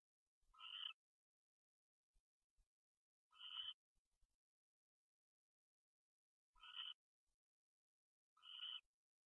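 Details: Owl calls recorded at 1:21 AM on January 22, 2013, while a pair takes off: four short, scratchy, tonal notes, each about a third of a second, spaced two to three seconds apart, with soft clicks and bumps in between.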